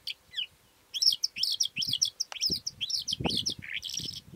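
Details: Calandra lark delivering dense, jangling high notes mixed with quick downward-slurred whistles after a brief opening phrase, closing with a rising buzzy note; low thumps and noise sit underneath toward the end.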